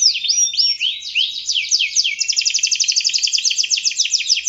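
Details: Canary singing strongly, played to coax young birds: looping, down-curved high notes at first, then a tight, even, rapid trill that runs to the end, bright and clean.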